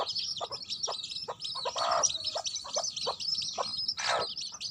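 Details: Hen with baby chicks: a steady stream of high, wavering chick peeps over scattered soft clucks, with two brief louder, rougher bursts near the middle and end.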